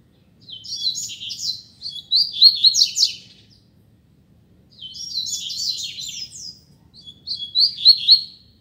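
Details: Double-collared seedeater singing in a contest against another bird: three rapid, high twittering phrases of quick sliding chirps, separated by short silences, the middle and last ones building in loudness.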